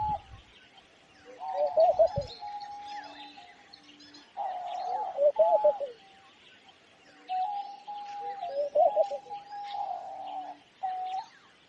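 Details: Homing pigeons (Columba livia) giving low, throaty, wavering coos in bursts of a second or two, repeating every few seconds, with faint chirps of small birds in the background.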